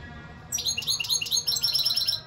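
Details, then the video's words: A European goldfinch bursts into dense, continuous twittering after half a second of quiet, rippling high notes and slurred trills running without a break to the end. "اقوا واجمل تغريد حسون"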